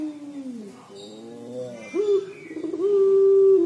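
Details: Collared dove of the puter pelung type in the 'crying' style: low, falling coos lead into a hoarse upward swoop and a long, drawn-out, level tone.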